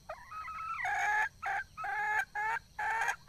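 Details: Red junglefowl hen in the wild: a short wavering whine leads into four drawn-out, harmonic, nasal cackling notes, each about a third of a second long and separated by brief gaps.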